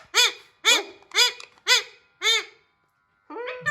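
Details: Raw hand-tame Alexandrine parakeet indoors, attempting speech: five loud, rasping arched notes at about half-second intervals, then a brief silence and a softer, wavering call at the end.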